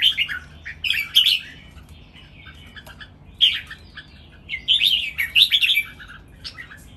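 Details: Three red-whiskered bulbuls kept in cages sing against each other in a lively training song with counted phrases: repeated short, cheerful, whistled and warbled phrases separated by brief pauses.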